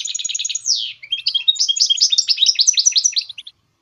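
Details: Goldfinch hybrid song opening with a fast buzzy trill and a quick downward sweep, then a dense, bubbling stream of high twitters and chirps that fades out at the end.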